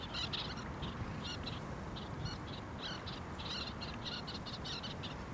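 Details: Little tern (Sternula a. albifrons) at Thessaloniki, Greece, April 2024, giving high, sharp chattering notes in quick irregular bursts, several each second, over a steady low rumble of wind or surf.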